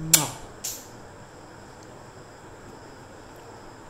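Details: Two sharp knocks, then a quiet indoor hum with a faint steady high electrical tone and no animal sound.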